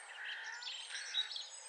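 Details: A song thrush, probably nesting nearby, sings from a post in a garden with nettle patches: bright, whistled and chirping notes in a short burst, somewhat distant and blurred, against a soft outdoor background hiss.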